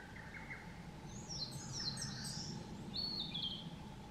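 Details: Spring song of a Narcissus flycatcher on Mount Rokko, Hyogo, 21 May 2020: soft, clear high whistles that slide and waver, then a longer falling whistled phrase, faint against a low background hum.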